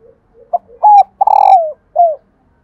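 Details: Female spotted dove call meant to make reluctant males coo: a quick introductory note, a clear steady coo, a long burred coo that drops at the end, and one short final coo.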